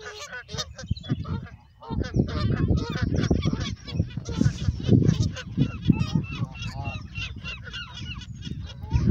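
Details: Canada geese in Westbroekpark, Scheveningen, The Hague, honk in a dense, overlapping chorus of loud nasal calls with rapid repeated honks throughout and a low background rumble.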